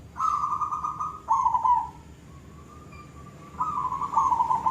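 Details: Silver zebra dove in full koong-style song: back-to-back bubbling, trilled coos, a brief softer steady tone, then another rolling phrase, all at a similar mid-low pitch.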